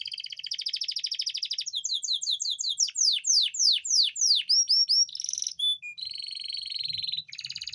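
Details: Singing canary, a song meant to arouse a reluctant female for breeding: rolling trill, a series of loud sweeping downslurred notes repeated about three a second, then a whistled note and a steady buzzy trill.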